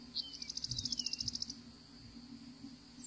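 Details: Florida winter visitor, a lone Savannah sparrow calling from a perch: a thin high chip followed at once by a rapid, regular, insect-like buzzy trill of high pulses, about a second long, over continuous faint hiss.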